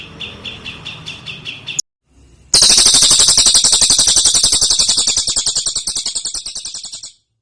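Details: Cililin song in a dense, rapid-fire run: a short stretch of quick chirps, a brief silence, then a loud, fast rattling volley of high buzzy notes repeated nearly four per second before stopping abruptly.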